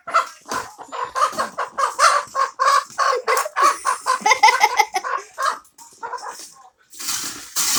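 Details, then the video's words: Hen giving a run of rapid, harsh clucking notes, several per second, rising and falling in loudness, followed by a brief pause and a loud hissing burst at the end. "hen funny sounds"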